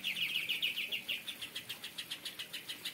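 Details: Caged Greater Green Leafbird in an aviary singing in the kapas tembak style: a fast run of bright, slightly descending whistled notes followed by an even series of clipped, pulsing chirps, about seven per second.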